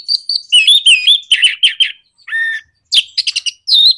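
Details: Orange-headed thrush in a 'nraktak konslet' lure song to provoke other birds: rapid upslurred whistles and chattering notes, a harsh buzzy note, then quick squeaky twitters and a final whistled slur.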